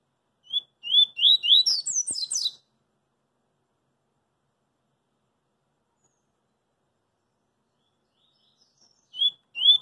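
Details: Double-collared seedeater in the street sings a 'coringa' phrase of quick whistles running into high falling notes, a click midway, then long silence before another song begins near the end.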